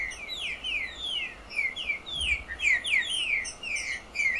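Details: Picharro singing a beautiful song, a bird familiar from farms and inland towns in Brazil's northeast: a rapid series of descending, slurred whistled notes, some with buzzy overtones, tumbling continuously at an uneven pace.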